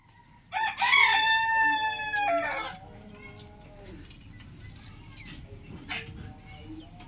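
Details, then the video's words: Rooster crowing in the morning: one long harmonic crow rising then holding for about two seconds, ending abruptly, followed by quieter background clucks and faint farmyard noise. "rooster crowing sound effect"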